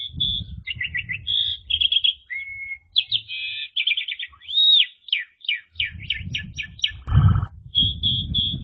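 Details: Asian pied starling in loud 'ngeplong' song with 'ngeriwik' chatter: whistles, quick trilled notes, a flat held whistle, an arched slur and a row of sharp descending chips, with low rumble and a brief thump.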